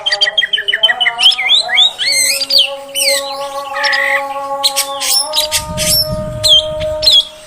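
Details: Female oriental magpie-robin voice used to excite males: a run of quick repeated notes, then swooping whistled slurs and harsh bursts, with a steady low tonal hum and a brief low rumble near the end.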